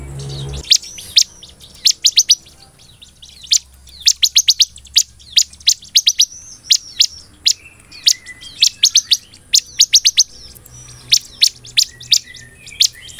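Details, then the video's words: Bar-winged prinia giving lively 'nembak belalang emas' song: an irregular, near-continuous scatter of sharp, very high clicking notes, sometimes doubled or tripled, with a brief low hum at the very start. "BURUNG CIBLEK GACOR NEMBAK BELALANG EMAS SANGAT JITU BUAT MASTERAN DAN PANCINGAN CIBLEK"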